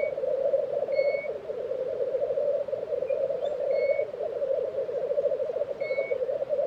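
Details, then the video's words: Lekking black grouse recorded in April 2023 at Tiveden, Sweden, giving a continuous pulsing, bubbling drone, overlaid by brief high whistled notes from other birds every second or two. "Black Grouse Lek - sound recording"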